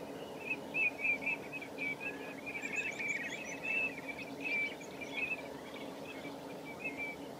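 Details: Common redshank recorded at Nosterfield on 18 March 2018, giving a long run of short, thin whistled notes in quick, uneven succession, some in pairs or small bursts, over a soft hiss of background noise.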